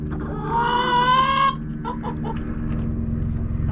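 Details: Rooster crowing in a backyard flock: a strong drawn-out harmonic crow lasting about a second, followed by three short clucks from hens against a constant low hum.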